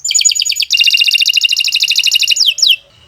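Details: Canary in long training song for other birds: a rapid rolling trill of repeated notes, shifting to a second fast trill, ending with two downslurred whistles.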